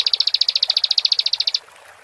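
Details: Bar-winged prinia in full song: about twenty sharp, high, ticking pulses in quick regular succession for one and a half seconds, then the trill stops abruptly into quiet background.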